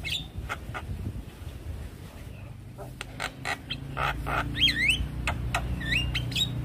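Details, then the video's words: Javan myna reacting with stress to another Javan myna's call: scratchy broadband rasps and clicks, then a burst of looping, wavering whistles near the end, over a low steady hum. "Jalbo Stres Seketika respon dengar panggilan Jalak Kebo"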